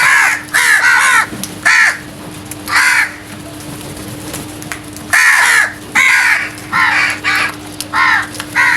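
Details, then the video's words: Loud crow caws at early morning, a busy series of raspy, harmonic-rich calls in uneven clusters with brief gaps, steady low hum underneath. "Loud Noise made by Crows | Early Morning Birds Sounds"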